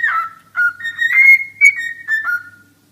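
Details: Cockatiel singing: a series of clear whistled phrases, some rising and some falling, with short gaps between notes. The phrases grow into a long, level, bright whistle near the middle.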